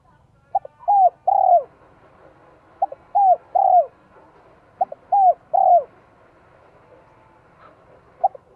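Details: Vietnamese spotted dove decoy in 'giọng son 1 cốt lỡ' style, luring wild doves, gives four coo phrases roughly every two seconds, each a clipped note then two downslurred coos, over faint background hiss.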